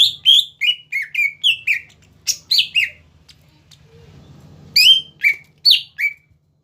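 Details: Lively song of a greater green leafbird, meant to stir up rival leafbirds: quick series of bright chirps and slurred whistles, a short quiet spell with faint low murmuring, then more sharp downslurred notes.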